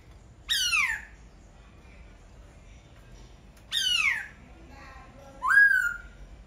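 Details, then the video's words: Laughingthrush giving three separate loud phrases about three seconds apart, each a sharp downward-sweeping harsh note, the last ending in a level whistle. "Khướu hót cực hay."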